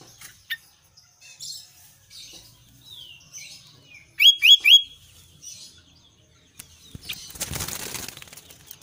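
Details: Albino sooty-headed bulbul in full song: soft scattered chips and chatter, then a loud phrase of three rapid rising whistles. A burst of wing flapping follows near the end.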